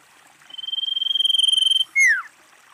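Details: Common iora female calling with a level, rapidly pulsed trill of about a second and a half. It is capped by a loud falling whistled note, with nothing else clearly heard.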